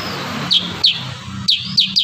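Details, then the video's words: Kurincang delivering 'tembakan rapat' shots: five sharp, high, downward-swept notes in two seconds, the last ones coming quickly together, against a steady low hum and hiss. "Masteran burung kurincang tembakan rapat"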